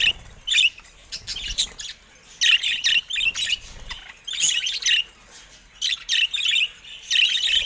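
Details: Caged budgerigars, several birds, give rapid scratchy warbling chatter in bursts of one to two seconds, with short pauses and high squeaky notes throughout.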